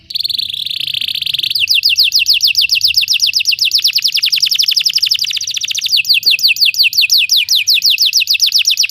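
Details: Belgian canary singing to get other canaries singing: a buzzy roll opens into long fast series of repeated downswept whistled notes with a short change of tempo midway.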